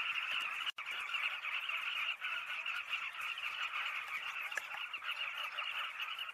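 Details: Southern carmine bee-eaters in full chorus, a steady mass of overlapping chattering calls, broken once near the start by a brief sharp click and dropout.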